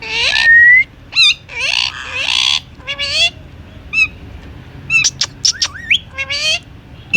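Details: Pet Indian ringneck parakeet chattering. Harsh speech-like syllables alternate with swooping whistles and rapid clicky chirps near the end.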